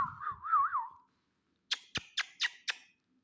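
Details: Ring-necked parakeet, a talking pet, produces a smooth wavering whistled phrase over faint low rumble, then a short pause and five sharp, noisy clicks in quick succession.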